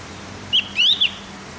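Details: Morning training song of the Javan grey-throated white-eye, meant to make captive birds sing fast: a short whistle, then a rising slurred note and a dropping one, clear and high over a quiet background.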